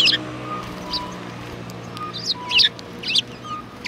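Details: Sparrows at a Tenmangu shrine, recorded 4 March 2020: short bright chirps in small clusters, some doubled, over steady background hiss with faint low tonal hums.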